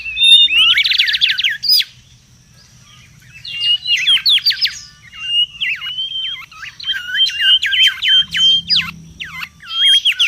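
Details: Busy wild mangrove whistler song: a burst of rippling whistles, a two-second gap, then level whistles broken by quick dipping notes, repeated in uneven phrases to the end.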